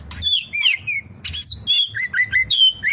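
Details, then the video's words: Short passage of oriental magpie-robin song loaded with kapas tembak imitations: clear sliding whistles, some dropping and some rising, given in quick separate phrases of about three per second. "SUARA BURUNG KACER, FULL ISIAN KAPASTEMBAK"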